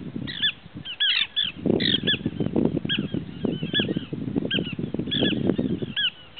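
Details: Small pratincole calling: short, sharp, arched chirping notes given in quick bursts and clusters, often overlapping as if from several birds, over a steady low rumbling background noise.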